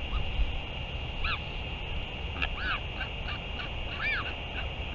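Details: During a northern royal albatross return and feeding on 31 May 2023, separate short arching calls sound at irregular intervals, the clearest near the middle and end, amid a constant hum and deep background rumble.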